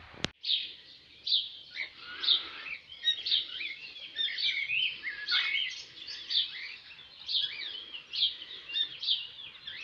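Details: Several cockatiels playing and bathing outdoors in a yard with a makeshift pool in summer; a sharp click at the start, then steady overlapping chirps and short squeaky whistled calls throughout.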